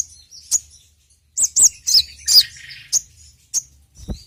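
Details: Sogon bird, also called sogok ontong, kept by Indonesian songbird fans and used as a lure; loud, clear, high whistled notes, some sliding downward, spaced irregularly with short pauses.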